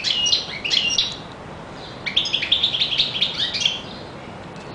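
A European goldfinch sings a rapid, liquid jumble of bright twittering notes and tinkling trills, delivered in two quick bursts.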